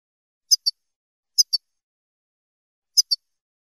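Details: European goldfinch, Spanish 'chele' type, song used for teaching young birds: short paired high twittering notes, three pairs spaced about a second apart, in silence.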